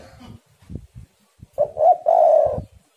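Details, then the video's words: Lure recording of spotted doves calling back and forth: soft low thumps and knocks, then one low cooing phrase of two short notes and a longer drawn-out coo near the end. "tekukur super gacor saling memanas"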